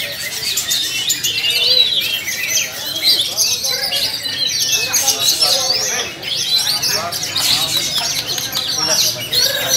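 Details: Duet of two Sumatran-origin white-rumped shamas: continuous rich, varied song of sharp whistled notes, twitters and quick trilled phrases overlapping, with people's voices murmuring behind the birds.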